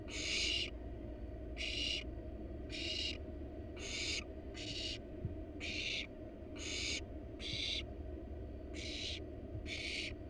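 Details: Barn owls in a wild nest box, the parents bringing a rat to the nestlings: a long run of about ten rough, broadband hissing bursts at a fairly steady pace, with a continuous low hum beneath.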